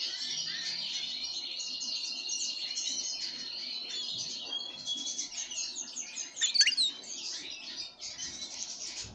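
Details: Pine grosbeak fed with sunflower seeds: steady high chirping that becomes more broken later, with one sharp louder click-like note.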